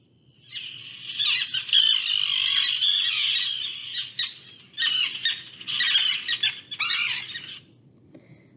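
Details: Common terns on Nantucket in July, a colony-nesting species that mobs intruders: harsh, grating, high-pitched calls in a steady scratchy stream, a brief pause, then a second noisy burst; faint low rumble underneath.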